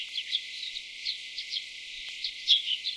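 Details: Tree Swallow (Tachycineta bicolor) feeding chicks, North America: a busy stream of short, high chirps and liquid twitters, about two a second at an uneven pace, with faint background noise.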